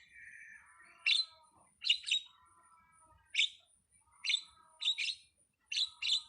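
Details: Starling singing in spaced, scratchy bursts: a soft descending warble opens, then sharp harsh chirps come singly and in quick pairs at irregular intervals with quiet gaps between.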